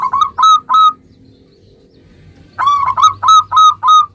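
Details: Prolific local zebra dove song played to draw answers from other zebra doves: a few bright, hooked coo notes, a second-long silent gap, then five more loud, ringing coos in steady succession.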